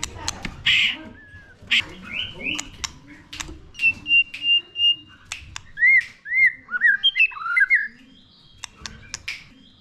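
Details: White-rumped shama, a young bird, being stimulated to sing: varied loud whistled phrases, including a sustained flat whistle and a run of quick arched, rising-falling notes, broken by sharp clicks and knocks.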